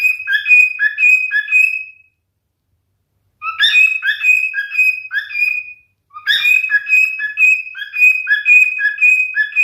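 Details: A male cockatiel sings: the end of one whistled phrase, a pause, then two more phrases of bright, rapidly alternating notes with sustained higher whistles, the last running to the end.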